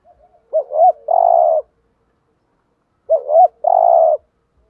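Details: Spotted dove decoy bird cooing in the thúc gù style, used to lure wild doves: two phrases, each a quick wavering double note then a long, steady, buzzy coo, about 2.5 seconds apart, in quiet surroundings.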